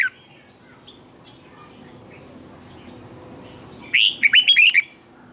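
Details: Red-whiskered bulbul singing as a training voice for other bulbuls: after four seconds of near silence, one short burst of about five rapid, liquid rising and falling notes, with a faint steady high hum.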